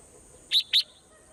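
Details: Morning swallow vocalising with two brief, bright chirps about a quarter second apart. A constant thin high whine runs underneath.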